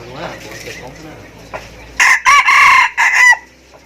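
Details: Chicken crowing: after a quiet stretch with faint murmuring, one loud, strained crow breaks into several choppy segments over about a second and a half, then stops abruptly.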